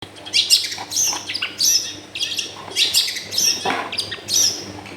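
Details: Long-tailed shrike singing at home in a crowded neighbourhood. Harsh scratchy chatters and high squeaky notes come in bursts about every second, over a steady low hum and background noise.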